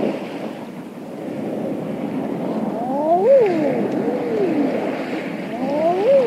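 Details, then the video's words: Eiders calling on open water offshore on a late spring evening; soft, crooning rising-then-falling coos, several overlapping, over steady wash of waves and occasional wing flaps. "Evening Eiders Calling On Water With Wingflaps And Waves"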